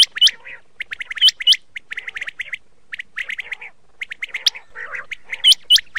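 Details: Chinga call used as a lure for hunting: harsh, chattering squawks mixed with sharp, high upslurred whistles come in quick, uneven bursts, like a small flock calling together. No other sounds stand out.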